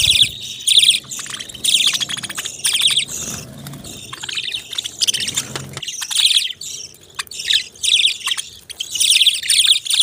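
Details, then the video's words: Budgerigars chatter in repeated bursts of shrill, rapid warbling and twittering, with a faint low background hum. "Beautiful Chirping Sounds relaxing Voice"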